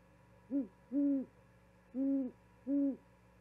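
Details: Owl at an osprey nest in Charlo, Montana, 13 February 2022, delivering a vole to its mate and hooting until she responds; live camera recording. Four deep hoots: short, long, a pause, then two more long hoots.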